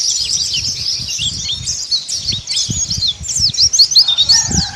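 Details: Kelud dakun mountain white-eye sings ngeriwik sambung, a rapid unbroken twitter of high, sharp chirps and quick slurred notes, used as training to make birds open their beaks. Low thumps sound in the background, and a lower call enters near the end.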